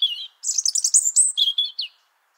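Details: European robin singing in Liepāja, Latvia, in January 2023: a thin, high warbled phrase, a short opening note, then a fast tumbling run of sharp twittering notes ending in a few lower sliding whistles.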